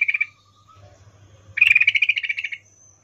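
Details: Female yellow-vented bulbul in breeding condition calling for a male, 'ngecuplik' style: a short chattering burst, then after a pause a longer run of about fifteen quick chirps lasting around a second.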